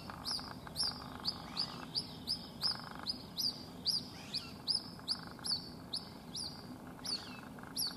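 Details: White-breasted waterhen (Amaurornis phoenicurus) chick at a house in Rajasthan, separated from its mother and unable to fly, calls non-stop: high, thin peeping notes, about one every half second and irregular, over a low steady hum.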